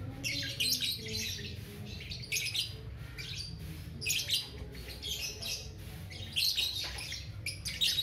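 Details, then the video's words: Active young lovebird (balibu) giving long ngekek chattering: bright, raspy trilled bursts of high twitters, roughly every second with brief breaks, over a faint low droning background. "TERAPI SUARA LOVE BIRD BALIBU GACOR NGEKEK PANJANG"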